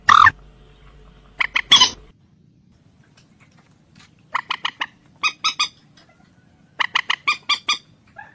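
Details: Common moorhen calling in harsh, squawky, nasal notes. A pair of notes comes first, then short quick runs of four to six notes at about 4.5, 5.5 and 7 seconds, separated by quiet pauses. There is a sharp click at the very start.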